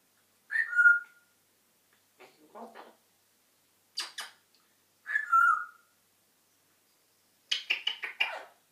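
A grey parrot gives two clear whistles that slide down onto a steady note, separated by short bursts of raspy, speech-like chatter.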